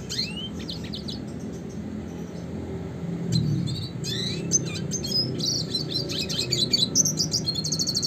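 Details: Classic red siskin song with rolls and shots for training birds: a rising whistle opens, then increasingly busy high chirps, buzzy bursts and a fast twittering run at the end.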